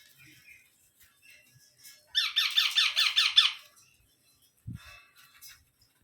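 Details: Young parrot giving one burst of about eight rapid, raspy, repeated squawks, quiet before and after, with a brief low thump near the end.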